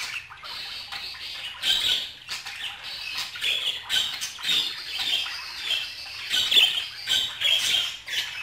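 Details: Budgerigars in a busy stream of squawky, scratchy chatter and quick chirps, rising and falling in loudness without stopping.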